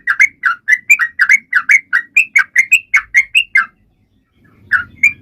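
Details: Sooty-headed bulbul in full, energetic song, used to prompt other birds and silent birds to sing: a fast run of short bubbly notes, about three per second, then a pause and a few more notes with faint low rumbling.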